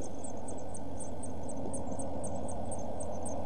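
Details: Eurasian blue tit chicks, one week old, in a nest box, recorded 5–7 June 2014: rapid, thin, very high squeaks repeated several times a second over a steady low hum.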